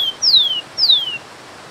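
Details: Rufous-collared sparrow (Zonotrichia capensis) giving two long descending slurred whistles, the tail of a song, over steady waterfall noise.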